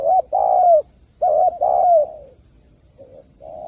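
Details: Two loud spotted dove coo phrases, kích bổi style for speaker traps, each a quick upturned coo and a long descending coo, followed by quieter coos, over low background rumble.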